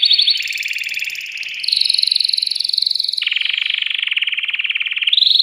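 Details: Caged male canary, worked up and pushing a female toward mating, sings continuous rapid rolling trills. The trills change pitch in distinct blocks, dropping lower after three seconds and jumping higher near the end, with no pauses.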